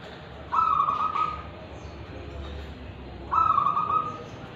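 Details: Tulungagung local wild-type zebra dove delivering its ulem and kristal song: each phrase opens with a short trill and runs into a long, vibrating, level coo, repeated after roughly three seconds.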